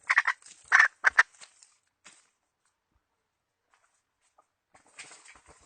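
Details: Hen chicken decoy for trapping, 2020 season: three or four rough clucks in the first second and a half, then faint scattered rustling and a soft noisy patch near the end.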